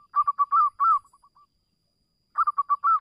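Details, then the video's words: Local zebra dove cooing, used as a lure to make other doves sing: a mellow, bubbling phrase of quick rolling coos ending in a drawn-out note and soft trailing clicks, repeated after a silent pause. "perkutut lokal gacor suara mendayu Dayu bagus untuk pancingan perkutut anda pasti bunyi"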